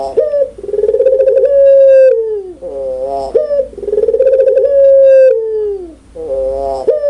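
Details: Loud, clear cooing from a puter pelung (Barbary dove): two full phrases and the start of a third. Each opens with a pulsing, rolling onset, holds a long steady coo that sags in pitch, then ends in a brief reedy note.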